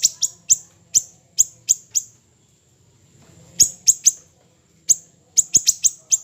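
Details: Small siri-siri bird, training recording: clusters of very high, sharp chirps, a gap of over a second of quiet, then renewed quick bursts of the same clipped notes.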